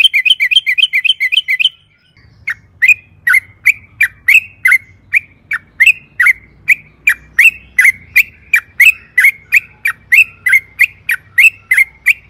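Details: Sooty-headed bulbul giving a long rapid trill meant to prompt other birds to sing: a fast bubbling burst, then a steady string of sharp, slightly falling chirps about three per second over a faint low rumble.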